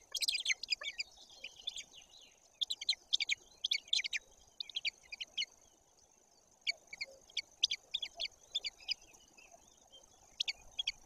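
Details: A White-tailed eagle at a nest webcam in Bory Tucholskie, Poland, on 17 May 2022 at 08:54 gives sharp, high, yelping notes in quick clusters every second or two, over a steady thin high whine.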